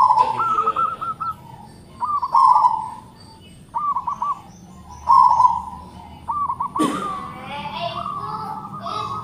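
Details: Big-voiced local zebra dove: short cooing phrases of a rolled coo and a few quick notes, repeated every two seconds or so, with a sharp knock or clatter near the end.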